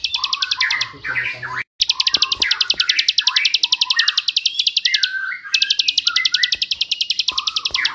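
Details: Long, rapid, high-pitched note bursts of a bar-winged prinia, used to teach songs to magpie robins and other songbirds, with a brief dropout. Varied lower whistles and chirps fill the background.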